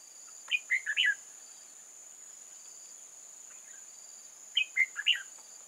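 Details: Red-whiskered bulbul from old forest singing as a trap decoy for wild bulbuls, 8 October 2018: two bright four-note warbled phrases about four seconds apart, with a quiet gap and steady hiss between.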